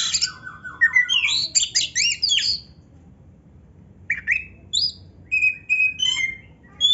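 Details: Oriental magpie-robin training-master song in 'isian narung' style: a fast jumble of harsh, chattering high notes for two and a half seconds, a pause, then spaced short whistled phrases and clipped notes.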